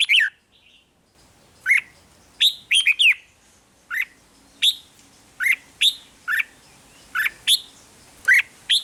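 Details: Song of a red-whiskered bulbul meant to make caged birds lively: a long series of sharp whistled notes, mostly single or paired, repeated about every half second, bright and slightly buzzy.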